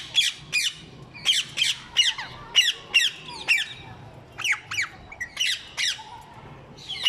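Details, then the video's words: Harsh, high-pitched screeches of ring-necked parrots (mitthu popat), paired and single notes repeated steadily throughout, sometimes slurring downward. "मिट्ठू पोपट Ring neck parrots"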